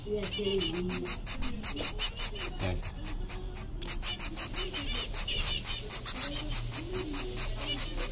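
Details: Zebra finch chicks from a second brood, one all white (owner thinks it's a male), give a fast, steady stream of buzzy, hissing begging calls, several per second, while a person talks quietly in the background.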